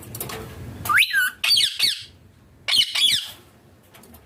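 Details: Pet Indian green ringneck parrot in a small room with its owner, making its natural sounds: a rising squeal followed by harsh, buzzy squawks in two quick bursts, a pause, then another rasping pair.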